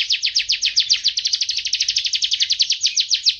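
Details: Canary delivering a rapid, even string of high downslurred chirps, close to four per second, forming a continuous bright rolling phrase.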